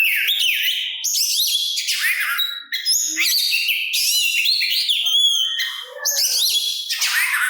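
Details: Oriental magpie-robin (kacer) singing to provoke other magpie-robins into answering: loud, varied whistled phrases with rising and falling slurs, buzzy rapid notes and high pure tones, almost continuous over the clip.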